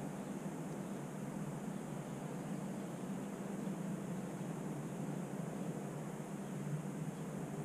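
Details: Even broadband hum and hiss like machinery or distant traffic, with no animal calls.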